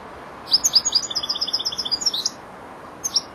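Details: Four-month-old young European goldfinch learning its song, starting to finish its phrases: a fast run of bright, tinkling high notes repeated in quick succession for about two seconds, then a short twittered burst after a pause.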